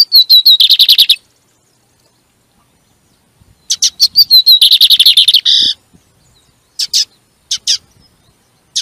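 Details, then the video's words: Double-collared seedeater song used to stimulate another bird during training: bursts of rapid, repeated buzzy notes around mid-high pitch, separated by pauses, followed by scattered sharp chips and short trills. "CANTO DE BIGODINHO PRA FOGUEAR O SEU NO MANEJO"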